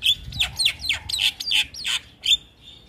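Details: Javan myna song to coax other mynas into replying: a rapid series of harsh, downward-sweeping chattering notes, about eight in two seconds, ending in a fading buzz.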